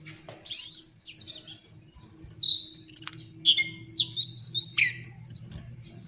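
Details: Lesser shortwing (Brachypteryx leucophrys), a bird of hill and mountain forests at 900–1,900 m, used as a tutoring recording for songbirds; a few soft high notes, then from mid-clip a rapid burst of sharp, high, sweeping whistles and trills.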